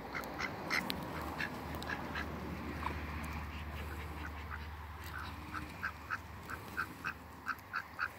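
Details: Three Pekin ducks meeting in a backyard; a rapid series of short, nasal quacks, several bursts clustered early then regular quacks roughly every half second toward the end, over a steady low hum.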